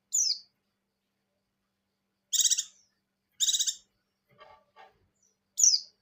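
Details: Breeding-condition white-eye of the buxtoni type giving ngecir-style song linked to ngalas: a high downslurred whistle, two harsh buzzy rattles in quick succession, a faint low twitter, then another sharp falling whistle.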